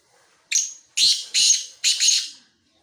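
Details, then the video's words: A Black francolin (kala teetar) from Khushab gives a loud, harsh, grating phrase: a short opening note, then three rasping bursts in quick succession, the last one doubled. "kala teeter ki awaz"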